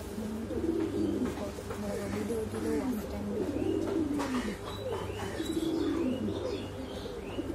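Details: Domestic pigeons of the exhibition Homer and Shiraji breeds booming, with deep wavering coos following one another almost without pause, set against a steady low drone and faint higher chirps.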